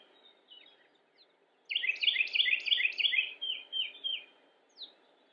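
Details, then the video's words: Carolina wren recorded on a photo walk in Cabarrus County, North Carolina, United States, on 27 March 2017: a loud, rolling burst of about eight rapidly repeated ringing phrases, fading into softer notes, with scattered faint chirps and steady low background noise. "Carolina Wren (Thryothorus ludovicianus) - Bird Calls Video"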